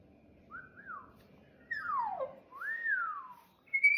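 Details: Excited pet cockatoo indoors, coaxed to dance: a soft short whistle, then two louder slurred whistles that sweep downward, the last arching up first, over a faint room hum, ending with a sharp click.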